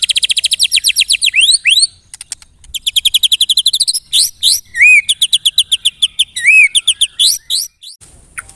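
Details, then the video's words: White-rumped shama (murai batu) giving a lure song: loud, fast repeated notes rising in pitch, rippling trills and arched whistled notes, sung almost without pause. "LANGSUNG CEPAT NYAMBER TAK TAHAN DIAM MURAI MENDENGAR PANCINGAN INI"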